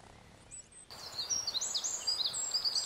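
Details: Eurasian wren in Berezinsky Biosphere Reserve, Belarus, bursts into song after a quiet start, delivering high, fast, tinkling trills and twittering phrases for about two seconds.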